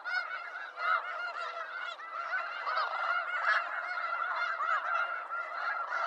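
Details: Loud, constant gabbling of a snow goose flock in eastern North America, overlapping honks layered thickly, with occasional brighter high calls rising above the mass.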